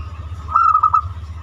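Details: Zebra dove, banyumili type, singing a lure song meant to set other birds singing: one quick burst of about five clipped, bubbling coo notes over a low background rumble and faint steady tone.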